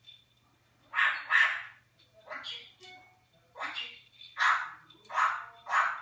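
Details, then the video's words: A talking Eclectus parrot, which speaks English and Flemish, utters short, voice-like phrases, about six bursts over six seconds, with a faint low hum behind; recorded 21 January 2015. "Toto, eclectus NG talking / Toto, barwnica wielka, mówi po angielsku i flamandzku"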